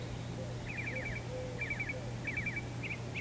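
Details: A pair of golden-fronted woodpeckers in Palo Duro Canyon, Texas, gives short, rolling rattled churrs, about four bursts in three seconds, over a steady low hum.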